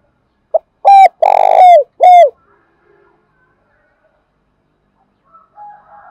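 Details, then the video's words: Spotted dove calling strongly to entice other birds: one short hoot, a loud coo, a long purring, vibrating coo, then a down-slurred coo, packed into about two seconds. Several seconds of silence follow, with faint distant notes near the end. "Cu gáy thúc bổi rất sung, Tiếng cu gáy cực hay"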